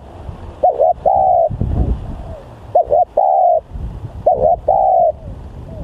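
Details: Spotted dove (tekukur) kept as a lure bird, described as aggressive and highly vocal; three clear phrases, each a brisk two-part coo leading into a longer smooth note, with soft low rumbling between.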